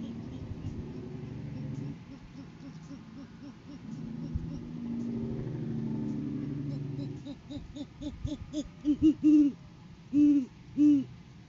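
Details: Male great horned owl brings a food gift to the female during courting season, recorded by live cam in January 2023. Low background hum, then accelerating short hoots climax in three loud, drawn-out deep hoots.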